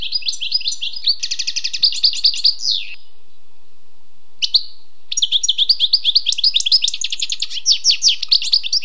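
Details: Wild European goldfinch singing sweetly: fast tinkling trills and repeated bright notes, a falling slur and brief pause, then a long energetic run of twittering.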